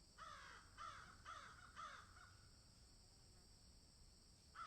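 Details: Crows calling in a field: four loud, raspy caws spaced about half a second apart, a stretch of quiet, then one more caw at the end.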